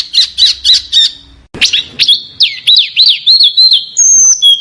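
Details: Small bird in a master recording for competition cage birds to copy; four chips, then a quick series of sweeping whistled notes ending in a long thin high whistle.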